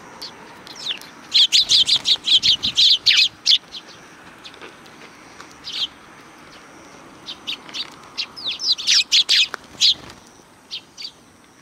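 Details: A flock of sparrows greeting someone at a Tenmangu shrine in July 2020: rapid bursts of clustered high chirps near the start and again toward the end, separated by a quieter stretch with scattered single notes.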